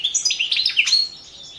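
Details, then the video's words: European goldfinch song entered in the 2017 World Championship in Goldfinch Song, an internet singing competition. Rapid, bright, high twittering with buzzy notes and liquid trills in quick succession, then fading to softer, thinner phrases. The background is otherwise quiet. "Pesma štiglića"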